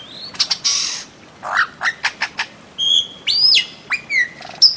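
A bird-of-paradise gives a burst of harsh, buzzy notes, a quick series of clicks, then loud whistled slurs that rise sharply and drop away, over a quiet background.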